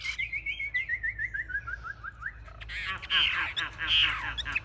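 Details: Chinese hwamei, a caged fighting bird displaying with raised wings and fanned tail, gives a quick descending series of repeated whistled notes, then a dense burst of harsh, scratchy jumbled phrases.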